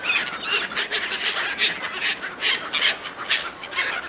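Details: Gulls competing fiercely for food offered by a person, giving a dense chorus of harsh, high squealing calls roughly twice per second, many birds overlapping.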